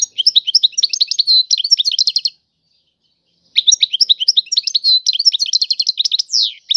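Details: Two lively phrases of European goldfinch song in the Tiwawati style, each a tumbling stream of high chirps, trills and buzzy slurs, split by a clean gap of about one second.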